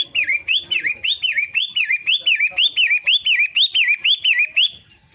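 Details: Pentet matahari, the long-tailed shrike, delivering around fifteen clear up-and-down whistled notes in a steady rhythm, about three per second, before falling quiet.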